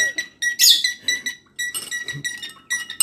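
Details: Indoor bird in Torres de la Alameda, Madrid, Spain, recorded December 10, 2023, imitating a spoon clinking against a glass: short bright ringing notes in quick bursts with stacked overtones, some squeaky, separated by brief pauses; faint low voice and laughter underneath.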